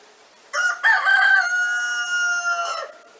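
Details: Free-living rooster outdoors near an 8 m² hen cage in the Lot department of France, giving a full crow: a rough opening syllable then a long steady drawn-out note lasting over two seconds.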